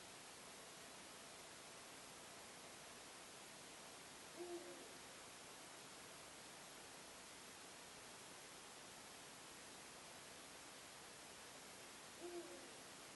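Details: Eurasian eagle-owl calling before dawn at about 4 am CET on 26 March 2016 in Hagen, North Rhine-Westphalia, Germany, heard for about fifteen minutes; two deep, short single hoots about eight seconds apart, faint under a steady hiss.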